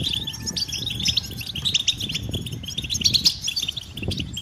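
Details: Several European goldfinches uttering mating and readiness calls to stimulate singing in males, quick bright twitters and tinkling notes above a noticeable low rumble.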